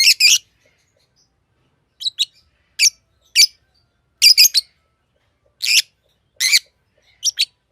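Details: Harsh, high chirps from a pet green Fischer's lovebird, scattered singly and in pairs roughly every half second to second over several seconds, with clean silence between calls.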